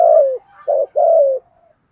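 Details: Spotted dove decoy bird, kept to spur training birds to coo: a long falling low coo, a short clipped note, then another long descending coo trailing off softly.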